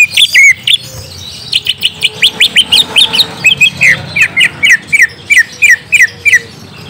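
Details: Greater green leafbird (cucak ijo) lure song, played to get a young untrained bird to answer: sharp whistled notes in quick, uneven bursts, some sliding down, with a fast run of bright chirps in the second half.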